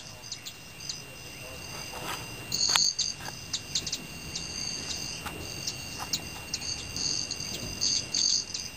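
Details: Male Broad-tailed Hummingbirds at dim evening snack-time in Teller County, Colorado, produce a thin metallic ringing wing buzz, broken into uneven short bursts throughout, louder near the start and the end.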